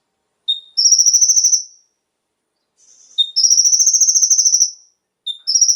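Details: Konin lure song for stimulating caged birds: a brief low whistle introduces a long, very high, rapidly pulsed trill; the pattern repeats three times with near-silent gaps.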